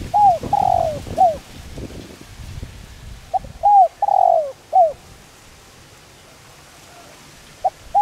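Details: Spotted dove calling, a voice used to stimulate decoy birds: a cooing phrase, a second full phrase after a few seconds, and a short note at the end. Some low background rumble is heard.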